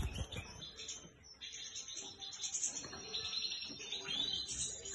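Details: European goldfinch singing, a rapid stream of high twittering and tinkling notes with thin sustained whistles, fairly continuous over a few seconds, with soft low background noise.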